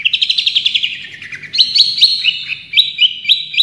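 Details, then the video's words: A champion Long-tailed shrike in full "tembakan" song used as a master recording: a fast run of sharp, high chirps, then varied clipped whistles and short trills repeated in quick bursts, about four a second. "Masteran Cendet Juara full tembakan"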